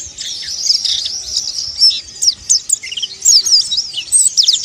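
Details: Ngeriwik and ngalas song of a mountain white-eye: a busy stream of high, thin chirps and quick downslurred whistles, with a brief lower note near three seconds and bursts of louder phrases toward the end.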